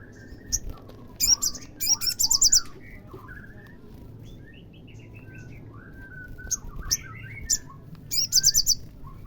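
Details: Olive-backed sunbird song for provoking a caged bird: two bursts of rapid very high trilled notes separated by a stretch of soft, lower, slurred twittering phrases, with thin chips scattered throughout and low background rumble.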